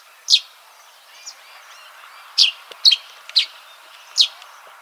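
Yellow-throated sparrow giving short, high, sharp chirps at irregular intervals, about six in five seconds, over a steady background hiss.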